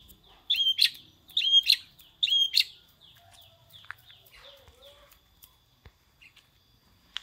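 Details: Long-tailed shrike singing a prinia-like phrase: three quick, high, buzzy whistled bursts in a row, then quiet with scattered faint ticks and a soft lower warble.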